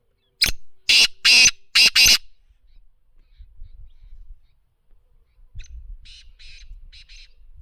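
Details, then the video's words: Kala teetar, the black francolin, gives a loud harsh phrase of a clipped first note and three drawn-out grating notes, answered a few seconds later by a fainter, more distant phrase of the same pattern over low background rumble. "Kala Teeter voice Black Frincloin Partridge original Sound"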